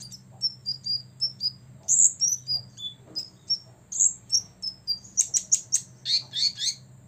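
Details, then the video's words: Six-year-old olive-backed sunbird singing vigorously to provoke rivals: varied short high whistles, some slurred downward, mixed with bright chips and a closing burst of rapid chips over faint low hum. "kolibri ninja ngobra 100% bikin lawan EMOSI"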